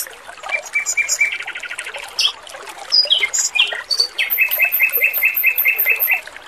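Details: A male robin sings lively, clear training material: varied chirps and short trills, then a steady series of about ten repeated notes with a high ringing layer above, against trickling water.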